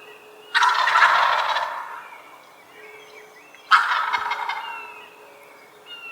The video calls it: Turkey Sound – Hear the Funny & Unique Calls of This Amazing Bird!